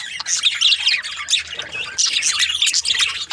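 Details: A group of budgerigars producing steady high-pitched chatter: rapid squeaky chirps, buzzy squawks and warbles layered over one another in short bursts, a brief lull near the middle.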